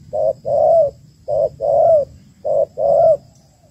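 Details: Female spotted dove calling to stimulate males, as used with ground traps; three loud two-part coos, each a short note followed by a longer, slightly rising one, repeated about every 1.2 seconds over a quiet low hum.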